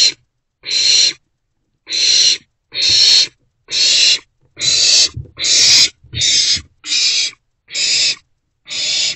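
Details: Trio of owlets in a nest box on 4/13/24, morning hours: a run of rasping, noisy hiss-screeches repeated roughly every 0.9 seconds, some bursts overlapping and uneven in loudness.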